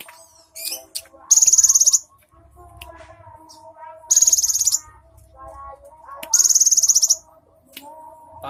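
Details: Cinereous tit, recorded on 3 April 2023, delivering three bursts of piercing, rapidly pulsed buzzy trill, each under a second, spaced about two to three seconds apart amid soft lower warbles and murmuring.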